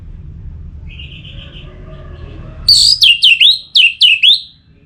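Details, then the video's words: Orange-headed thrush singing, used to stimulate birds to sing: faint thin whistles at first, then a loud run of six sharp, high, down-slurred whistled notes in quick succession, with low background hum. "Suara Ini Bisa Membangkitkan Burung ANIS MERAH agar Jadi Gacor"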